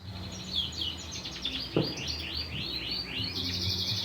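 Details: Canary song in a steady series of quick rising and falling whistled notes, roughly three per second, over a constant low hum and background noise, with one dull thump midway.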